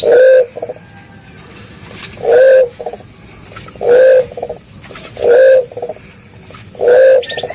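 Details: A lively green pigeon (punai) gives a steady series of short, hollow, upward-bending coos, each followed by a brief rattly tail, spaced about one and a half seconds apart over a quiet background.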